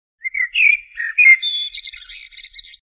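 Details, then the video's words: Common blackbird (Turdus merula) in one continuous, softer phrase. Low mellow warbles climb into a run of thinner, higher twittering notes that fade out. No other sounds are present. "تغريد طائر الشحرور جحمومية الزرياب Turdus merula"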